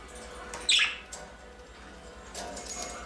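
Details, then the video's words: A pet budgerigar, one of a group playing in a home aviary, gives one quick, bright, scratchy chirp, followed by softer twittering under a steady background hiss. "Wellensittich zwitschern"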